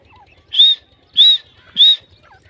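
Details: Female grey francolin, known as teetar, in jungle: three loud, piercing, high whistled notes, each slightly rising then level, spaced about 0.6 seconds apart, with faint low ticking underneath.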